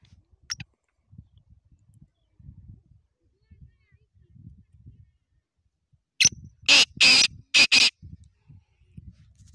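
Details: Free-roaming pet black francolin that stays near its owner: a loud, harsh, grating call of four or five rasping notes in quick succession after a stretch of quiet low rumbling.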